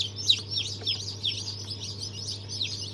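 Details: Newly hatched chicks of Brahma, Fizan, Australorp and Legbar breeds, hatched on 3 March 2023, give a busy chorus of high, thin, down-slurred peeps over a steady low mechanical hum.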